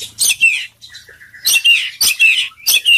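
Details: Energetic full-isian song from a poci-type Oriental magpie-robin. Loud rasping chatter phrases repeat about every half second, broken by a soft, steady mid-pitched whistle.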